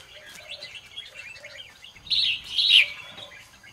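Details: Red-whiskered bulbul singing in the morning, used for training birds to sing: a quiet chatter of high twittering notes, then two louder warbled phrases near the end over soft background chirps.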